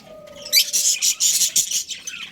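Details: Australian budgerigar breeding pair chirping: a burst of rapid, scratchy high chirps and squawky notes in quick succession after a quiet start, with a faint steady hum underneath.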